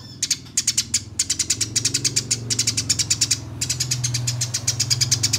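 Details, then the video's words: Fighting Eurasian tree sparrow recording: a near-continuous rapid train of harsh high chirps, dense and rattling, with a brief gap midway and a low rumbling background hum. "Top Masteran Gereja Tarung Ngeroll Abis Durasi Panjang Suara Jernih"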